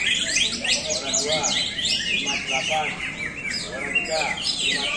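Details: Greater green leafbird pouring out a busy, high-pitched song of fast descending whistles, sweeping slurs and chattering trills, packed closely together, with quiet background chatter underneath.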